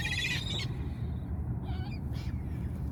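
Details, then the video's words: Seagulls, said to be hungry, let out a loud squawky burst at the start, followed by fainter scattered cries, all above a steady low roaring background. "The sounds of the seagulls hungry"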